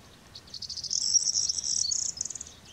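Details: European greenfinch pair feeding: a high, rapid twittering chatter of pulsed notes for about a second and a half, rising in intensity then fading; faint low background hum.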